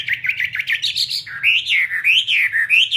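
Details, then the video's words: Fighting Chinese hwamei kept in a cage, pouring out a continuous rich warble of rolling, wavering whistles that swoop up and down without a break. "Họa mi chiến"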